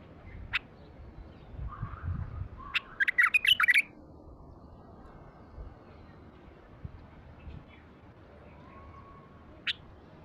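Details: A wild-caught bulbul with a heavy voice gives a few sharp, clipped notes, a short burst of harsh, scratchy chatter and soft, low whistles, spaced irregularly over a quiet, hissy background.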